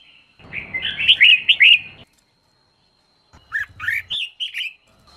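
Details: Female red-whiskered bulbul sound, used to stimulate males into singing: a bright, warbled phrase of quick whistled notes around the upper-middle range, then a pause and a second, shorter bubbling phrase.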